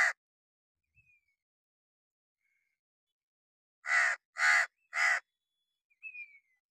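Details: Hooded crow perched on wood in summer rain, giving three loud, harsh, hoarse caws in quick succession about half a second apart, preceded by a clipped caw at the start; otherwise quiet.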